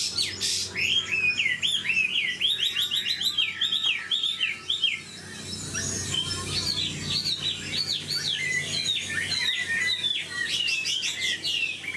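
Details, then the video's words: Chinese hwamei, old and wild-caught, noted for a superb voice and quick delivery, fires rapid series of short rising whistles in bursts, pauses briefly, then resumes with more fast, scratchy-edged rising notes. "Họa mi già rừng chất giọng cực hay. tốc độ mỏ nhanh"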